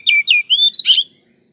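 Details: Oriental magpie-robin song meant to trigger a fast response: a quick run of four loud slurred whistles, dropping and rising, ending in a rough burst.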